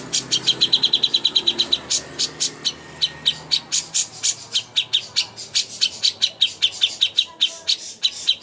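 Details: Master song for a contest greater green leafbird: a very fast trill of high notes at first, then spaced sharp chirps and scratchy bursts continuing steadily throughout.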